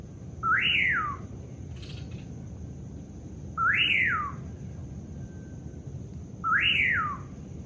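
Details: Common Pauraque at night in the Amazon rainforest, giving three slurred whistles, each rising then falling, about every three seconds, over a steady high insect drone and low background hum.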